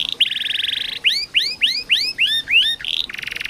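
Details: Canary singing as a tutor for young or silent caged canaries: a buzzy rattling roll, six or seven loud upswept chirps in quick succession, then a return to fast buzzy rolled trills.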